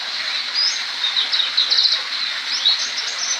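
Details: A young black-throated canary learning to roll sings a fast, continuous, high twittering warble with thin whistled notes and rolling trills; faint background hiss.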